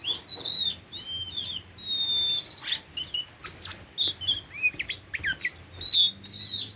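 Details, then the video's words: Tame Oriental magpie-robin song with sharp chips, swooping whistles and held pure notes, phrases separated by short gaps, faint low hum behind. "Burung Kacer Jinak"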